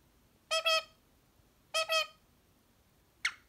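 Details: Sleepy pet parrot indoors, napping during its usual afternoon rest, gives two short double-pulsed harmonic chirps about a second apart, followed by a single sharp click, in a quiet room.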